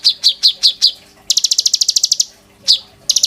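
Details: Caged oriental magpie-robin singing as a tutor for white-rumped shamas: five sharp high chips, then a fast buzzy train of about a dozen clicks and a lone chip, very high-pitched and crisp.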